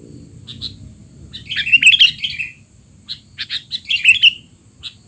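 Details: Sooty-headed bulbul, noisy 'teler' style calls used as tutor material for young bulbuls: bursts of harsh chirps and short twittering notes, loudest around two seconds and again near four, over a faint steady high whine.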